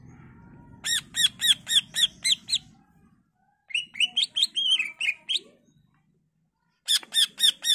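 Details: Greater green leafbird in full varied song, played to lure other leafbirds into responding: rapid runs of arched, ringing notes about seven in a row, then a jumbled chattering phrase, a pause, and another fast burst.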